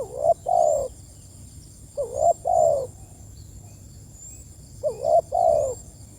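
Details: Spotted dove calling its companions: three low cooing phrases, each a short wavering note then a longer, fuller falling coo, repeated about every two and a half seconds over quiet background.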